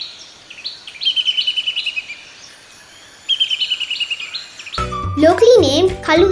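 A Black-capped Kingfisher gives two bursts of fast, high, ringing cackling notes, each about a second and a half long. Music and a voice follow at the end.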